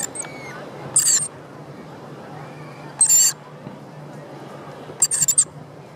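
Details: In Sydney's Royal Botanic Gardens, Australia, within view of the Opera House, a rainbow lorikeet gives three loud, rasping, high screeches about two seconds apart, the last broken into a rapid stutter, over faint background chatter.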